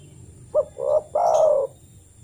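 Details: A single spotted dove phrase played to coax a captive dove into calling: a brief clipped note, a fuller coo, then a long smooth drawn-out coo.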